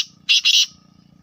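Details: Black francolin (Francolinus francolinus), kala teetar, gives two quick, harsh, grating notes in a brief burst, then falls silent over a faint low hum.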